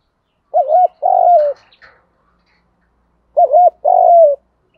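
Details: Spotted dove calling in hạp bổi style to stimulate other doves: two phrases, each a short wavering double coo then a longer drawn-out falling coo, separated by a quiet gap of about two seconds.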